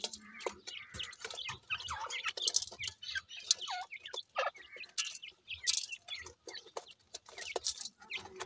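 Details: Grey francolin chicks at play, giving dense overlapping high peeps and short downslurred chirps, several birds calling at once, mixed with frequent sharp clicks and scuffling handling noise.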